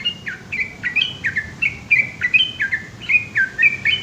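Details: Yellow-vented bulbul's long ropel song at night, Indonesia: a softer, more distant stream of quick whistled notes, each sliding down then holding, in a brisk continuous run over steady hiss.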